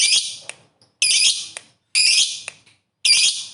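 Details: Lovebird ngekek, kept by bird hobbyists and used to provoke other lovebirds: four short, dense, high buzzy trill bursts, each about half a second, separated by brief silences with faint clicks.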